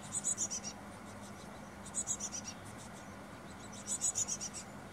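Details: At a hanging nest box on 24 May 2021, a Carolina chickadee parent and nestlings near fledging give very high, thin, rapid calls in three short bursts about two seconds apart, over a faint low hum of breeze; wind chimes nearby.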